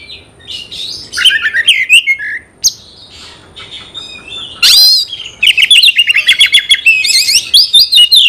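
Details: Oriental magpie-robin, a caged songbird whose loud song is meant to provoke a fighting response in other males; varied whistles, buzzy trills and rapid repeated chattering notes in a dense, high-pitched stream.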